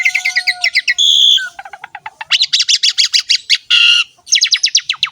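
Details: Javan pied starling singing energetically in ngerek style as a tutor recording: chattering high notes, a loud harsh squeal, runs of sharp clicking rising chips and another grating burst before a fast falling trill.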